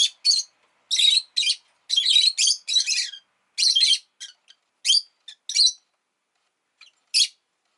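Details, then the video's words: A pet rosy-faced lovebird, around the time an egg was laid, gives shrill, buzzy chirps in quick bursts, some running together into harsh chatter, with brief pauses between. "Lovebird Chirping Sounds"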